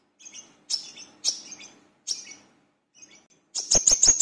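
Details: Brown-throated sunbird (wiceh/manggar) in full voice for use as a lure: scattered thin, squeaky high notes with pauses between them, ending in a fast loud cluster of piercing chirps.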